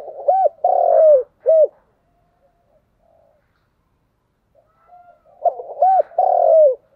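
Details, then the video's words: Spotted dove cooing repeatedly in 'thúc gù' fashion: a phrase ending with a long falling coo and a clipped note, a quiet gap of about three seconds, then the same phrase again. "cu gáy thúc gù/ Cu gu lien tuc"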